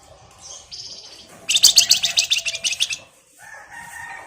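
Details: Male flamboyan singing as a lure bird: a dense burst of rapid, buzzy chattering notes, about four a second, sits high and bright for over a second between softer whistled phrases.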